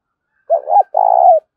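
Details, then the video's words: Lure cooing of a spotted dove meant to urge rival doves into a fight: one phrase of a wavering double coo followed by a longer, steady, slightly falling purring note, clean and close. "Tiếng chim cu gáy thúc đấu rút bổi cực gắt"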